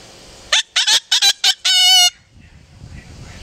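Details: Five-year-old pet Yellow-collared Macaw singing along with its owner: a run of harsh, buzzy squawk bursts, then one longer, ringing, harmonic-rich squawk, with music and a person singing before and after.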